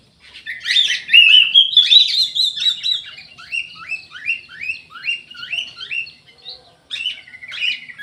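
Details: Orange-headed thrush kept in an aviary, singing vigorously: a long rising whistle, then a run of quick downslurred whistled notes, about two per second, with brief scratchy inserts.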